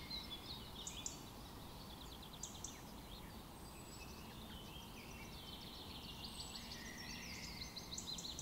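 Chestnut-tailed Starlings give thin, high chirps and squeaky chatter in quick bursts throughout, over a steady low rumble of background noise.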